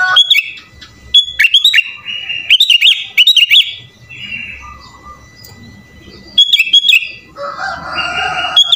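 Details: Sooty-headed bulbul singing energetically, its song filled with borrowed phrases; clusters of sharp, rapidly falling whistles and longer level whistled notes, then a pause, then more clipped phrases over a soft noisy hiss.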